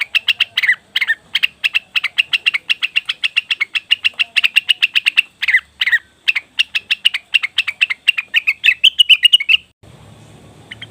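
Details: Leafbird (cucak wilis or rengganis) calls played as a lure to provoke other birds: rapid, sharp chirps, about five per second, in long runs with two short breaks, ending in a quieter, slightly buzzy tail.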